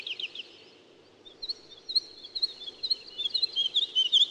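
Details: Woodlark singing softly: a brief slurred phrase, a short gap, then a rising series of quick liquid whistled notes growing louder toward the end over a steady low rumble.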